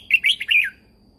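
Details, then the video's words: Caged red-whiskered bulbul from Thailand giving a lively training song meant to stimulate other birds: a single rapid phrase of four or five rich, warbling notes that dips downward at the end, over a faint hum. "นกกรงหัวจุก, เสียงนกกรงหัวจุก สำหรับต่อ หรือ เปิดให้นกคึก เสียงเพราะๆ"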